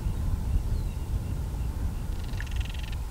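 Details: Disturbed Northern Crested Caracara during breeding season, recorded with a Canon SX70HS, ends with a soft, hollow pulsed rattle under a second long, preceded by a brief chip; heavy low rumbling background throughout.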